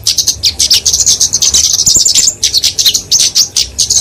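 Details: Very high, rapid ticking and trilling from a kemade, a Dicaeum flowerpecker, in its fighting song for training and luring small birds; near-continuous bursts with brief gaps.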